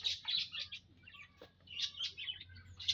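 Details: Munias kept together in an aviary, several birds calling: high thin chirps and short buzzy notes overlapping in bursts, with a faint low hum underneath.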